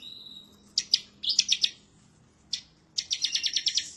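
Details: Bar-winged prinia, excited and seeking a rival, giving a thin whistle followed by clipped high ticking notes and a quick rattling series of sharp chips.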